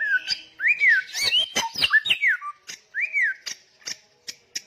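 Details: Samyong songbird singing strongly: smooth arched whistled notes mixed with a tangle of clicks and brief chatter, ending with a single arched whistle and evenly spaced sharp clicks.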